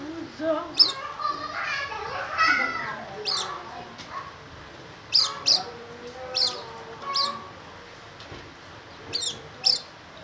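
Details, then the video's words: Oriental white-eye delivering loud 'gacor nembak' song: crisp, high, stroke-like chirps spaced about a second apart, often in pairs, with a low voice-like murmur in the first seconds. "burung pleci gacor nembak josss"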